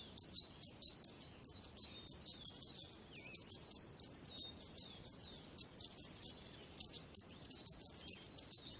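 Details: Singing birds heard as softer, busy high chirps and short trills overlapping continuously, with a few lower sliding notes and faint background hiss.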